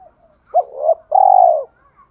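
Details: Spotted dove in the 'thổ pha đồng' song style, used to provoke wild doves: a sharp rising note, a wavering middle, then a long steady booming coo, with faint soft notes around it.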